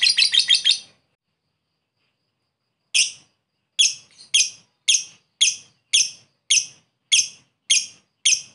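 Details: Lovebird calling a rival: a quick burst of four high chirps, a pause, then sharp single squeaky chirps repeated roughly every half second.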